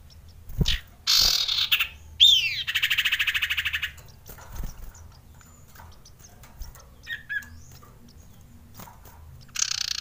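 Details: Male Common Iora (sirtu) in breeding mood, used to stir quiet birds into calling: a long harsh buzzy trill with a pulsed texture, an upward-sweeping note, scattered soft chips, and another buzzy burst at the close.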